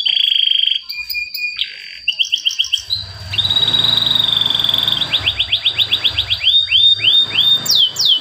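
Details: A male canary sings a lure song meant to prompt stalled canaries to sing: a varied run of fast trills, clear whistled notes and quick rising chirps, about three or four a second, over a steady electronic whine and low rumble.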